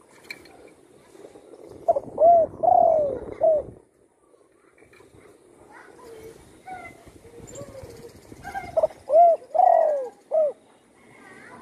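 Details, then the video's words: Spotted dove kept at home after a shot broke its wing, now singing freely; two three-part cooing phrases, a short note, a longer drawn-out coo and a short closing note, about six seconds apart over faint background hum. "burung tekukur,yg dulu di tembak orang kena sayapnya patah,kini sudah gacor di Rumah"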